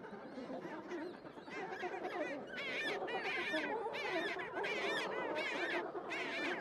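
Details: Chinstrap penguin chicks in a crowded colony on rocky Antarctic terrain, early 1970s 8mm film: many overlapping shrill, wavering, harmonic calls in bursts every second or so over a steady background din.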